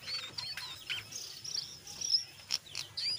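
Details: Brown jongkangan chattering in ngeriwik style mixed with ngeplong, a lure to get other jongkangan singing: high scratchy squeaks and brief whistled slurs, with a couple of sharper bursts, over a low murmur.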